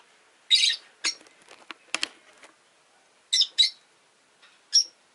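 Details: Scratchy chirps, clicks and a few sharp high notes from five caged rosy-faced lovebirds beside a window, the orange-faced, green-bodied birds calling in scattered bursts.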